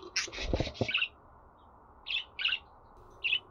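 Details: Budgerigar chirping played to make a pet bird sing: an opening scratchy warbled burst with low thumps, then a long pause and three separate bright chirps spaced about half a second apart.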